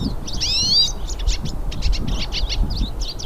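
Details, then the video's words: In nature, several hooded siskins sing: a loud slurred rising whistle followed by a quick run of short, choppy high chirps and twitters. "VÁRIAS PINTASSILGO CANTANDO NA NATUREZA"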